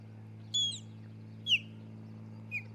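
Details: Nesting osprey couple at Charlo, Montana, filmed by a nest cam on 27 June 2018: a bright, high whistle, then a loud downslurred cheep and a softer final chirp, set against a persistent low-pitched hum.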